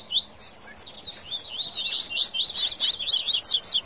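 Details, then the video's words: Coleiro, the double-collared seedeater, delivers its baderna song heatedly. High twittering notes pour out quickly, first scratchy slurs, then a louder, tightly packed burst of sharp chips and trills. "Baderna de Coleiro e Papacapim Foguiando"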